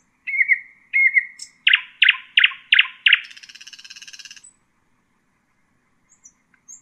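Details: For teaching chicks, a nightingale sings Husayna song: two held whistles lead into five forceful repeated chirps, ending in a rattling buzzy trill, then near silence.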